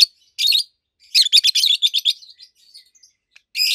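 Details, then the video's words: Two adult pet rosy-faced lovebirds, colour mutations red-head green opaline and white-head pallid aqua opaline, produce loud, shrill, treble chirps in a rapid stuttering series, followed by softer twitters and another harsh burst. "Rosy-faced Lovebirds Call Sounds"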